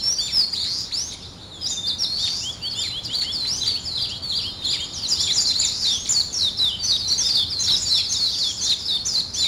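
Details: Early-morning chorus of birds: shrill, rapid chirping and slurred twitters, briefly softer near the start, then busy and continuous.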